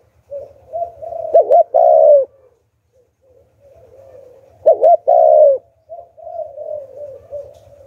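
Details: Spotted dove used as a decoy to attract wild doves, singing in the Hạp Bổi style: two loud two-part coos about three seconds apart, each led in by quieter rolling coos, with a faint low pulsing hum underneath.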